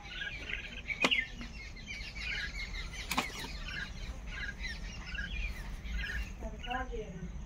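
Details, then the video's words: A group of common mynas in the morning chatters with harsh, squeaky and gurgling calls throughout, over a low background rumble with two sharp knocks. "Morning Myna Birds Sounds | Myna Birds Group Sound"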